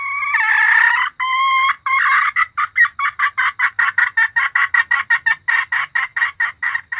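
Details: Female red junglefowl call meant to attract males and other hens: two drawn-out, squawking notes open the sequence, then a rapid series of short, clipped clucks, roughly three per second, continuing to the end.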